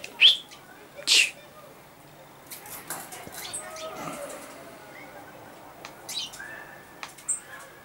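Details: A common chaffinch, recorded 15 August 2013, gives two loud, sharp, high call notes a second apart, then a few fainter ones later over a quiet, hissy background.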